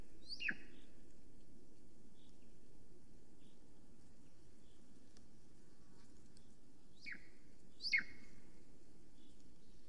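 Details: Nest camera in Estonia, 13 July 2020, mid-morning: a female Golden Eagle calls around her nest. A lone falling yelp opens, then a long quiet stretch with faint buzzing, then two more descending yelps close together near the end.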